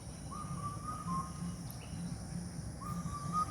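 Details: Asian koel in the palm garden of the Bangladesh Agricultural University Botanical Garden, Mymensingh, on the Brahmaputra's west bank: two clear whistled notes, each rising sharply then holding, about two and a half seconds apart, over a low rumble.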